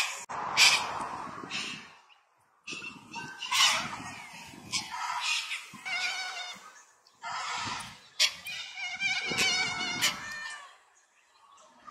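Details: Captive white cockatoos wrestling and fighting with each other give rough, grating squawks in clusters separated by brief pauses, some with a nasal, buzzy tone, with clicking and scraping between calls.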